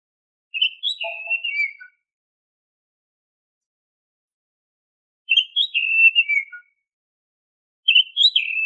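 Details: Oriental magpie-robin (kacer) repeats the same warbling whistled phrase three times, several seconds apart. One phrase carries a lower soft note. The song is used as a lure to get caged birds singing. Background is otherwise silent.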